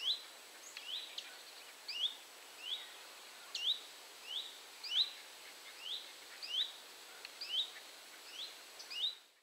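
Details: Great crested grebe family at a reservoir in Rawa Mazowiecka, Poland, on 31 July 2017: thin, high piping whistles, each a quick slurred note, repeated about twice a second against a soft steady hiss.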